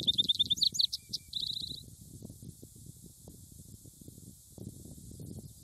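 A Vesper Sparrow sings a short, bright phrase: a few clear opening notes, then a quick descending jumble and a fast trill, over low rumbling background noise.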